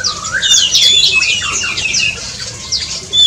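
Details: Aviary-kept Black-and-crimson Oriole giving a tangle of high, thin squeaky notes and rising slurred whistles, busy for two seconds, then quieter before a fresh burst at the end.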